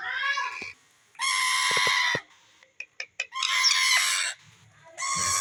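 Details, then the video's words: Indian green ringneck parakeet with a baby parrot, India: loud, grating drawn-out screeches alternating with a few short sharp clicks and pauses. "Indian Green ringneck talking parrot with baby parrot"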